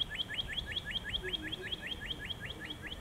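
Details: Northern Cardinal singing a rapid, even run of rising slurred whistles, around thirteen notes in three seconds, clear over faint low background noise.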